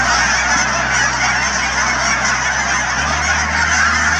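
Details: A huge flock of Canada geese, thousands strong, at wetlands near Chilliwack, British Columbia, with constant overlapping nasal honking and a faint low hum that shifts partway through.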